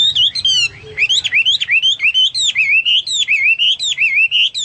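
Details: Hwamei singing in a bold, lively way, used as a tutor song for cage birds: a rapid run of loud whistled notes swooping up and down, phrases repeated in quick succession with little pause.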